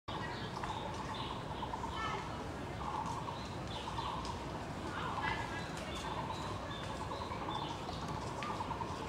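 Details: Taiwan barbet calling in a botanical garden, giving low, hollow, repeated notes in steady bursts behind a sleeping cat, with thin chirps from other small birds over a constant background hiss.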